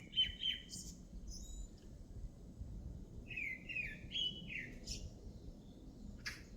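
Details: Bird song in two bursts: a short trilled whistle with a high squeak, then after a pause a longer run of wavering whistled notes, with light background hiss.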